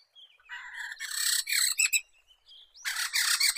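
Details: Black-throated laughingthrush, or poksay medan, sung for luring and song training: harsh, broadband raspy chatter in two loud bursts separated by a thin rising whistle.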